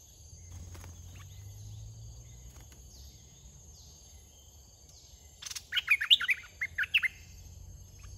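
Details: A fierce wild red-whiskered bulbul chases and attacks a caged decoy bird: after a stretch of low outdoor rumble, a brief burst of bright, chirpy whistled notes, rising and falling quickly in a jumbled phrase lasting about one and a half seconds.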